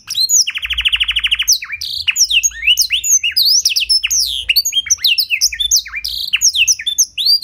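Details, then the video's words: Clear-voiced canary carrying blackthroat-style song, used to tutor and stir other canaries: a long fast rattling trill of about a second, followed by tumbling high whistles and chirps in quick succession. "Pancingan & Masteran Burung Kenari Isian Blackthroat Suara Jernih! Bakal Langsung Ikut Gacor"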